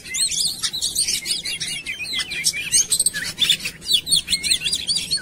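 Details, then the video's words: Oriental magpie-robin lure song meant to get birds singing. Rapid, tumbling sequence of twisted whistles and chips, densely packed, with only short gaps between energetic phrases. "PANCINGAN KACER CEPAT GACOR"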